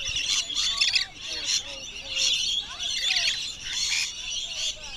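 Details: Wild rainbow lorikeets crowd in, very loud while being hand-fed at the end of a wildlife tour at Bungalow Bay, Magnetic Island, 26 December 2013. Many birds give harsh, shrill overlapping screeches in continuous bursts, with faint human voices beneath.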